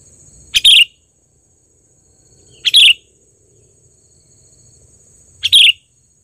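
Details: Trained, actively singing sooty-headed bulbul giving a loud lure call: three short, bright whistled phrases roughly every two and a half seconds, with a steady faint high tone throughout and quiet low rumble between phrases.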